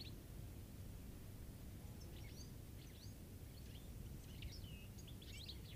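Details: A wild European goldfinch gives quick, high, liquid twittering notes in loose bursts over the last four seconds, set against a steady low rumble of wind or distant traffic.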